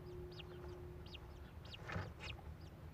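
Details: Newly hatched American kestrel chick at a nest box in Prairie du Chien, Wisconsin, on the morning of 12 May 2021, giving thin, high, arched chirps about every two-thirds of a second, over a steady low hum with a soft knock midway.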